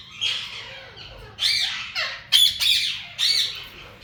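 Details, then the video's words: Breeding pair of yellow Indian ringneck parakeets calling indoors: loud, harsh squawks with a strident, rasping tone, given in four or five bursts about a second apart. "yellow Alexander parrot natural sounds"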